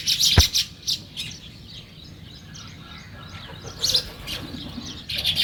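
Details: Sparrows chirping on a morning outdoors: short bursts of bright, high chirps at the start, a sharp knock, then a quiet stretch of faint background before more chirp clusters near the end.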